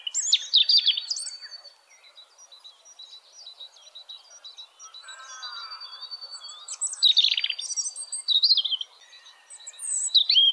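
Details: European robin in nature delivering high, varied song phrases: sweet warbles, sharp trills and long drawn-out thin whistles, with a lower harmonic note sounding midway through the clip.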